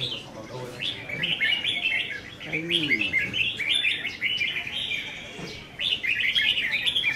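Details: Contest singing of caged red-whiskered bulbuls, 15 May 2021: rapid, loud, bubbling warbles repeat in clustered phrases, with a short pause near the end and a brief human voice in the background.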